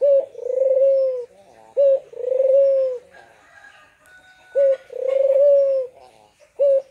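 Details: A lively collared dove, recorded as a lure to prompt quiet birds to call, coos in low two-part phrases, a brief note then a long drawn croon, about every two seconds, with faint small-bird chirps behind.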